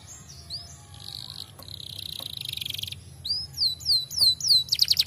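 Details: Fighter-type canary song, played to make other canaries answer at once: begins with quiet buzzy trills and a steady high tone, then loud repeated down-sweeping whistled notes building toward the end.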